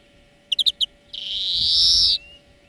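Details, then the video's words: Song of a European greenfinch, from a lesson recording for training birds: four quick high chirps followed by one drawn-out nasal wheeze lasting about a second, with a faint constant hum behind. "Florya Ötüm Dersi"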